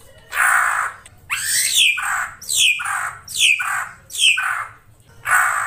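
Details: Vigorously singing ashy drongo, krantil saeran type: a run of six harsh, scratchy notes, each sliding steeply down into a buzzy lower part, repeated a little more than once a second.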